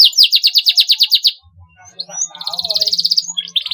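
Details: Canary singing cuit cuit phrases for young birds to copy: a loud rhythmic trill of strong repeated notes, a short pause with soft low rumble, then a twittering phrase and another rapid even trill.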